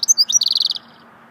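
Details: Goldfinch swittey song fragment, a few sharp high chirps leading into a rapid buzzy trill that stops abruptly.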